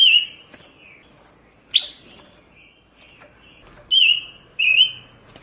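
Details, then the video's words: Pancawarna songbird in a tutoring recording: sparse, clear whistled notes with a wavering, slurred shape, one sharp rising chirp, and quieter whistles between, over a faint background hiss. "Masteran burung pancawarna// gacor super brisik"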